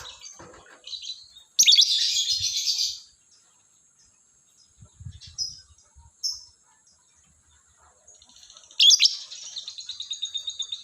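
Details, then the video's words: Morning lovebird chatter in loud, dense bursts of buzzy, high chirping, separated by quiet pauses. A final rapid, pulsing series of scratchy notes trails off at the end. "SUARA BURUNG LOVEBIRD DI PAGI HARI"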